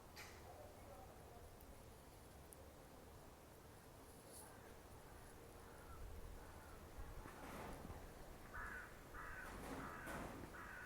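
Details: Hoarse, croaking caws from a raven come in short bursts, strongest near the end, over steady wind rumble, on a windy, very cloudy day with rain expected.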